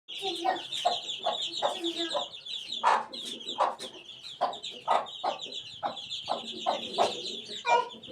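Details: Eighteen-day-old chicken chick: continuous thin, high peeping chirps, densely overlapping, with short broadband tapping or clucking pulses roughly every half second underneath.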